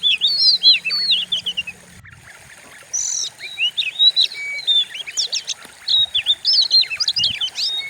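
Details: Lure recording of an Oriental magpie-robin with a fierce voice, for training other birds: loud looping whistled phrases separated by a brief quiet gap, then sharp upward-sliding notes and chirps.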